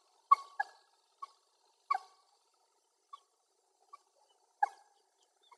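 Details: Wild common moorhen giving short, sharp, clucking notes, singly and in quick pairs at irregular gaps, in an otherwise quiet setting.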